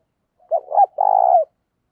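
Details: Single phrase of spotted dove song: a pair of quick, husky rising notes leading into one drawn-out, steady, slightly pulsing low coo that drops off at its close.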